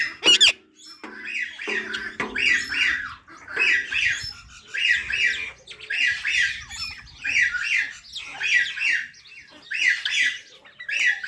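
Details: Parrot chirping in a series of harsh, buzzy double notes repeated about every second, with a couple of sharp squawks and lower calls at the start; quiet room background.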